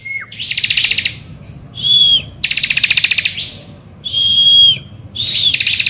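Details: Bar-winged prinia in morning song, played to coax other birds to sing: dense rattling trills alternate with a sustained level whistle, repeated three times, each phrase under a second long.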